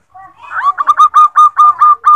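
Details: Calling female zebra dove, meant to attract a male as a lure: a soft rising opening note leads into a steady string of short, clipped coos repeated several times per second.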